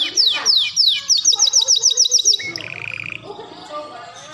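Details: Canary tutor song with melodious phrasing: a few descending swept notes, a quick even trill of short notes, then a lower buzzy fluttering phrase trailing off.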